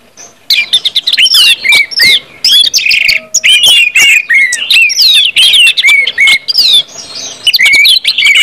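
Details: Ngeplong singing by an orange-headed thrush, used to stir other birds into song: rapid strings of bright whistles and twittering trills, many falling slurred notes, delivered almost without pause after a silent opening.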